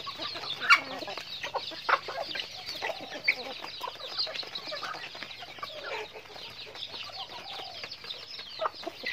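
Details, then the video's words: Chickens going about their daily activity: a dense chorus of overlapping short, high chirps and peeps from many birds, with a few sharper louder notes standing out near the start and around two seconds in. "Natural Sounds of Chickens"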